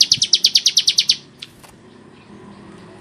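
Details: Gacor Bar-winged prinia with a harsh voice: a one-second rattle of about ten high, dry chips in rapid succession, followed by a quiet pause and a single faint tick.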